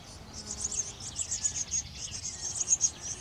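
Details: Eurasian blue tits feeding young at a garden nest box give a steady stream of very high, thin, rapid chittering notes, several per second, over a faint low background hum.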